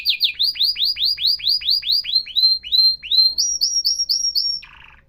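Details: Atlantic canary repeating loud swooping whistled notes about two to three per second, each rising then falling, switching to a higher level note, then closing with a short soft buzzy rattle.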